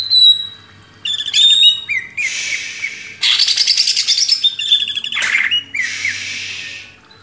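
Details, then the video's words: Master song of the greater green leafbird for cage-bird training: a pure whistled note, then varied chattering phrases, dense buzzy trills and slurred whistles alternating over several seconds. "MASTERAN CUCAK IJO // LANGSUNG GACOR"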